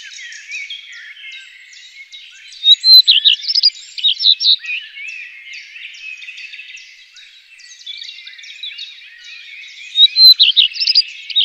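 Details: Common redstart song in two loud bursts of quick, varied chirping and warbling notes about seven seconds apart, over a constant wash of fainter high twittering from other birds.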